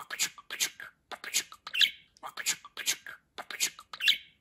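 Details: A domestic budgerigar talks, repeating the same raspy, high-pitched phrase of about eight clipped syllables twice, each ending in a squeaky accented note.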